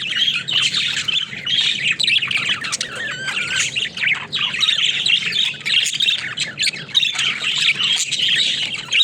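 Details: Caged budgerigars at play: a continuous jumble of chirps, rasping squawks and short whistled warbles from several birds at once, with a few louder bursts over steady chattering.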